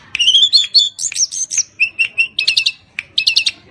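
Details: Lively tledekan gunung song, meant for luring other birds into singing, opening with a rising whistled glide and continuing as fast chattering phrases of short bright notes, some in quick doublets.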